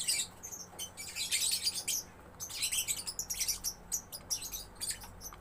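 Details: A juvenile lovebird gives bursts of shrill, grating chatter mixed with short whistled squeaks, in roughly three phrases over five seconds. A low steady hum is audible underneath.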